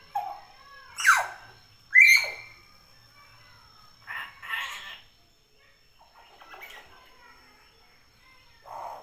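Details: Common hill myna chattering indoors: strident falling squawks, speech-like babbling phrases and softer squeaks spread irregularly over several seconds.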